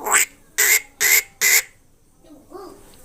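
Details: A talking myna gives four loud, harsh, rasping squawks about half a second apart, then a softer, lower note after a brief pause.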